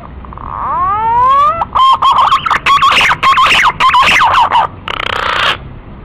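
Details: A male green pigeon, used as a lure call, gives a rising whistled note, then a run of quick, wavering, musical whistles, ending in a harsher burst of sound.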